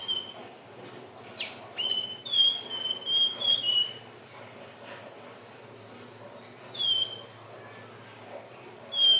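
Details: Song of a Hill blue flycatcher, played as a lure for other birds: a string of short, high, clear whistled notes, then pauses with one more whistle and a final note at the end.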